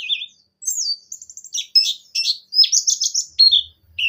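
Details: Javan white-eye song played to coax other white-eyes into singing: a rapid jumble of high thin chirps and short whistled slurs, some in quick trills, broken by brief pauses, with faint low knocks near the end.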